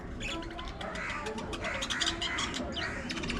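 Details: Several pet budgerigars playing, squabbling and grooming, giving a continuous dense chatter of scratchy, warbled notes and short clicks with no pauses, against a faint low background hum.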